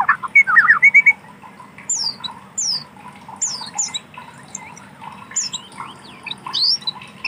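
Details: White-rumped shama singing in wild forest: a loud opening burst of rapid, rising whistled notes, then fainter varied phrases of high, sliding whistles and chirps, over a steady low hum and buzzing background.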